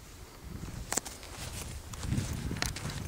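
A black woodpecker hacks at wood: a few sharp, heavy knocks spaced irregularly, about one every second or so, over a low outdoor rumble.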